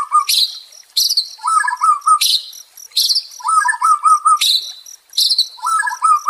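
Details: White-rumped shama singing, played as therapy for a stressed songbird: high sweeping notes alternate with lower warbled phrases, the pattern repeating about every second, with short pauses between bursts.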